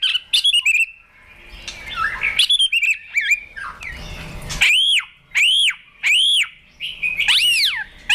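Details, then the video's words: Provoked White-rumped shama in fighting song during training, tail flicking on its perch: jumbled chattering and slurred phrases give way to loud, clear arched whistles repeated about every half second. "Chòe Lửa Đánh Đuôi Sàn Cầu Kích Lửa Hót Căng. luyện Chòe lửa hót đấu."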